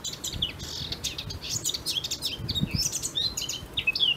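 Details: Singing blackcap delivering a fast, varied warble of high twittering notes, with a few brief low thumps in the background.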